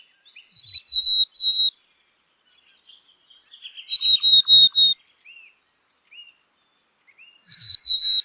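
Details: Black-capped chickadee singing clear, high whistled phrases of two to three steady notes, heard three times with long pauses, and a burst of buzzy, rattling chatter between the second and third phrases.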